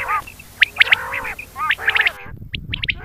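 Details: Quail calling in the morning with sharp, high chirped notes in quick clusters over lower, wavering tones that may be other birds or voices. There is an abrupt break partway through.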